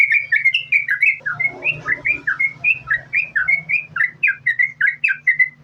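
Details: Yellow-vented bulbul singing in the lively continuous 'gacor, sambung ropel' style, used as a lure to get other bulbuls to sing: rapid bubbly whistled phrases, rising and falling, chained almost without pause over a steady low hum.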